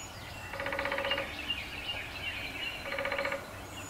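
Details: On an old black walnut tree in Appalachia, a male downy woodpecker hammers out two quick, machine-gun-like drum rolls about two seconds apart, set against constant ambient noise.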